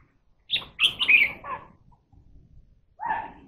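A Red-whiskered bulbul gives a quick burst of four or five bright, liquid, warbled notes, then a lower fluty note after a short pause, over faint background noise.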